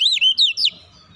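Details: Oriental magpie-robin singing a relaxed lure phrase for untrained birds: three quick, loud, looping whistled notes sweeping up and down, then quiet.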